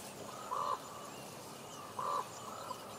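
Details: Common ravens talking in Juneau, Alaska, giving two short, resonant, level croaks about one and a half seconds apart, each with a soft lower undertone, over a faint steady hiss.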